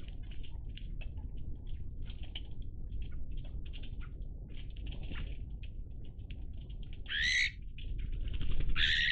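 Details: Iberian magpies in a group, recorded 03-10-20, keep up busy scratchy chatter, then two louder, rising, harsh calls stand out near the end, with steady low rumble beneath.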